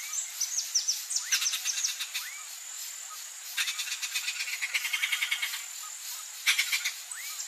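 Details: Wild turquoise-fronted amazon chick being fed by its mother, giving bursts of rapid, harsh, rhythmic pulsed calls in two long runs. A steady high insect whine continues throughout, with thin whistled notes from other birds.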